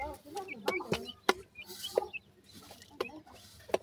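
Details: Grey francolin chicks peep with quick high chirps and lower bubbling notes. Sharp clicks are scattered throughout over a steady low hum.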